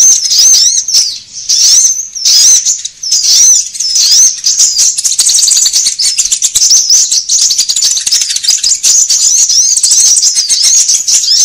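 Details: Sunbird lure recording meant to gather wild birds and train caged ones: a long, busy wash of sharp, very high tweets and short upslurred notes, nearly unbroken, with crackling clicks throughout.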